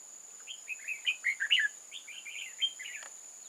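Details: Trap decoy red-whiskered bulbul luring wild bulbuls, 8 October 2018: a longer run of tumbling chirpy warbled notes, fairly continuous for about three seconds, over steady background hiss.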